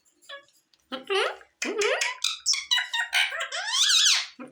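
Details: A talking Indian green ring-necked (rose-ringed) parakeet chatters in a high, raspy voice, a run of quick squeaky speech-like phrases with sliding whistled notes, in a small quiet room.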